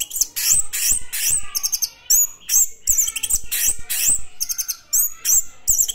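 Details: Orange-headed thrush singing vigorously in the classic style: loud, rapid bursts of sharp whistles and harsh chattering notes, with high sweeping slurs, packed closely and repeated about every half second.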